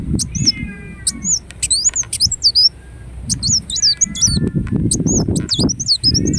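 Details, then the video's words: Ruby-cheeked sunbird (kolibri wulung) delivering bursts of thin, very high twisting whistles and ticks, separated by short pauses, with faint lower sliding trills and a muffled low rumble. "Kolibri Wulung Gacor Dorr Bocor Corr"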